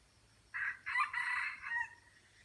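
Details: Aceh red junglefowl crowing against a decoy bird in a crowing duel. One brief harsh note is followed by a longer raspy, broken phrase that fades at the end. The surroundings are otherwise quiet.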